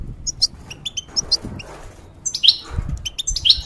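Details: Caged European goldfinch in moult, used as a song tutor for hybrids, giving spaced, thin whistled notes and down-slurred chirps in small clusters separated by quiet gaps, with low rustling.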